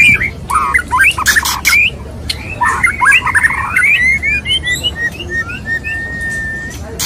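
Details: White-rumped shama male singing to woo a female: harsh broadband rasps open the phrase, then bright whistled slurs and chips, ending in a long, steady, level whistle.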